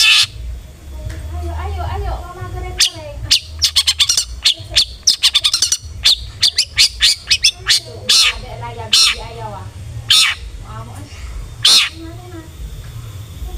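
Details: Long-tailed shrike in lure song to stir aggressive singing: a long series of sharp clicking notes speeding into a rapid rattle, broken by harsh screeches and softer nasal chatter.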